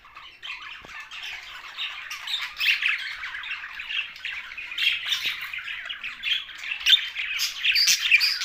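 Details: Budgerigars, the Australian parrot, from Larkana in Sindh, keep up a dense, continuous chorus of scratchy chirps and warbling squawks that swell louder through the second half.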